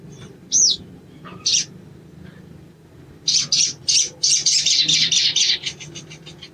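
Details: {'caption': 'Sogon (ruby-cheeked sunbird): a couple of isolated high squeaks, a pause, then a rapid series of loud buzzy high notes accelerating into a dense chattering trill.'}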